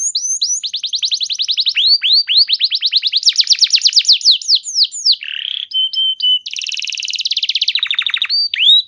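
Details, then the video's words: Canary song used as a lure to get other canaries to respond and sing: fast, rolling trills of bright, high, down-slurred notes, switching to buzzy rattles and sustained whistled tones, with no other sounds. "Pancingan Burung Kenari Macet Bunyi! Ampuh Bikin Kenari Lain Langsung Respon Terpancing bakal Gacor"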